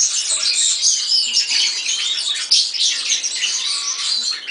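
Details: Continuous song of a European serin: a hurried, high, wiry jangle of tinkling and buzzing notes without pause, with a few faint low knocks in the background.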